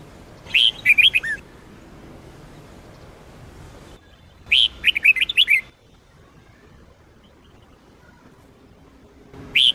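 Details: Sông Kôn red-whiskered bulbul singing, the recording used for daily training of bulbuls: two quick bursts of clear, warbling, chirpy notes, each about a second long, separated by roughly three seconds of quiet, then a third phrase beginning.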